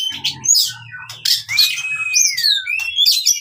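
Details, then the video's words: Oriental magpie-robin delivering fighting song meant to restart singing in silent birds: buzzy chirps and sharp notes mixed with long, smooth whistles that rise and slide downward, over a faint low hum. "KACER TARUNG COCOK UNTUK KACER MACET BUNYI"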